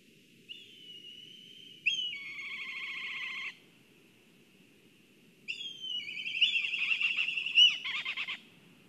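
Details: Two quavering whinny phrases from black kites at a nest in Kurzeme, Latvia, on a live nest camera during excitement at the nest, each a whistle breaking into a shaky trill, separated by a quiet gap.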